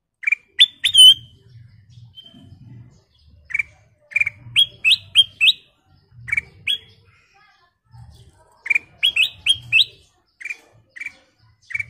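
A bulbul sings bright, clear whistled notes, short rising slurs in quick bursts of three or four with brief pauses between. A faint low hum underneath.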